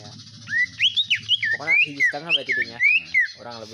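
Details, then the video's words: Kept greater green leafbird mixing its song with iora-type sounds: quick wavering whistled notes rising and falling over a buzzy, nasal background chatter. "CUKAK IJO X CIPOH GACOR PARAH"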